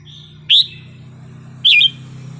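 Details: Wild-style song of a red-whiskered bulbul used to excite other birds: two strong, bright whistles about a second apart, the second with a wavering twist, over a noticeable steady low hum.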